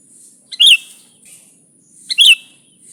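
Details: Sooty-headed bulbul singing vigorously, recorded as a lure for bulbuls: two sharp, bright chirps about 1.5 seconds apart, each with a quick pickup note, over a steady high hiss.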